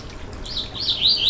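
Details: Yellow-bellied seedeater singing to stimulate a bird: a brief snatch of high warbled notes that rise and brighten within about a second.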